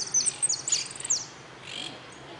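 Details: Goldfinch singing in a contest, an entry at the closing of an interclub cup on 04-03-18: rapid high twittering with sharp chirps and short trills packed into bursts, then a softer, fainter phrase near the end.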